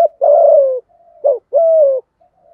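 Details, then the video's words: Lure spotted dove in 'giọng thổ' style: a long, level coo that drops slightly at the end, a short abrupt note, then another sustained falling coo, part of the 'thúc gù' calling meant to stir up wild doves. "cu gáy giọng thổ THÚC GÙ, chim cu gáy kích bổi"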